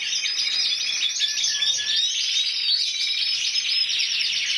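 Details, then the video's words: Canary of intense yellow variety, 2014 Spanish champion at 94 points, pouring out a steady high warble with brief clear whistled notes mixed into rapid trills. "CANARIO AMARILLO INTENSO"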